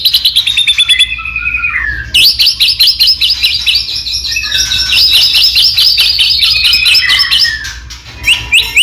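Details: A long, rich passage from a white-rumped shama singing to get other shamas to respond. High trilled and chattering phrases run almost without a break, with short whistled slurs and several abrupt pauses.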